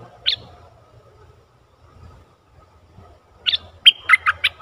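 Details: Caged decoy bulbul used to lure a wild bird, the captured wild bird said to be very old, 11 August 2021; after a lone sharp note and a long quiet gap, a quick run of bright, clipped, bubbling notes closes the clip.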